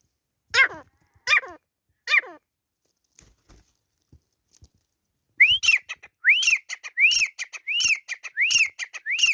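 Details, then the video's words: Grey francolin in a fight. Three drooping harmonic notes come first, then after a pause a run of loud, rising whistled notes, each followed by short clipped notes, repeated briskly about 80 times a minute. "Teetar ki ladai | Grey Francolin Fight | teetar ki awaz"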